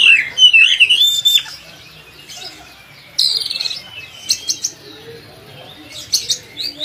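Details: Oriental magpie-robin (kacer) song meant for teaching other kacer birds: a loud rich warbled phrase, then after a gap a buzzy rasping burst and scattered sharp high chips.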